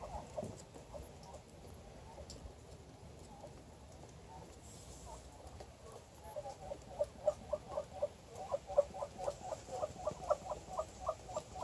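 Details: A female Muscovy duck hanging out on a deck gives soft, low, clipped notes in a quick series, about two or three a second, after several seconds of near quiet.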